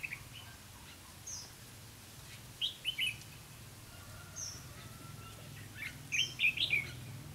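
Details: Lure red-whiskered bulbul during trapping on 4 November 2016, giving two brief lively warbled phrases of rapid chirped notes, with scattered high thin notes and a constant low background hum.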